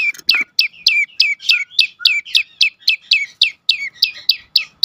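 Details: Prinia known as prenjak lumut, song meant to tempt other birds into singing: loud, crisp chirps falling sharply in pitch, repeated nearly four per second in a steady rhythm.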